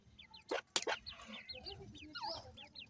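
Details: Feeding grey francolin chicks give short, high, arched peeps in quick succession, broken by two loud sharp knocks or taps early on and a lower soft call midway.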